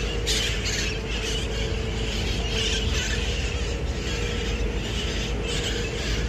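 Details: Wild red-masked parakeets on skyscraper tops in San Francisco during rain in late October 2021 give harsh, raspy squawks every second or two over the steady hiss of heavy rain, with a low hum underneath.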